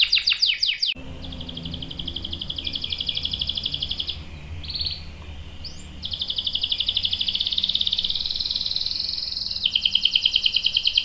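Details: Canary lure song given to prompt other canaries to reply: brief sweeping notes, then long high buzzy rolled trills with short pauses, over a faint background hiss.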